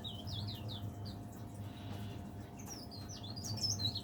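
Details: Caged leaf warbler, noted for singing from morning to evening, giving fast high twisting whistles, a short pause, then another busy burst of high notes over low hum.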